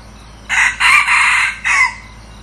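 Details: Red junglefowl decoy cockerel, a newly acquired bird used to lure wild junglefowl, gives a loud crow in four bursts: a short opening note, two longer sustained middle phrases, then a falling final note, over a faint hum.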